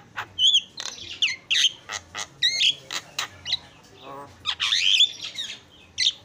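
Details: Javan myna (jalak kebo) in a training song recording: sharp clicks and chips are broken up by bright, wavering whistles and rough squawking phrases, with short pauses between bursts.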